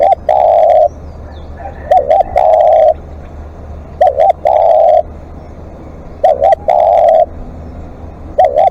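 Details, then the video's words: Live decoy spotted dove giving long calling sequences: paired short hooting notes followed by a drawn-out even coo, phrases spaced roughly two seconds apart, loud and close with brief crackles over each phrase. "เสียงนกเขาใหญ่ ต่อสดเรียกยาวๆ"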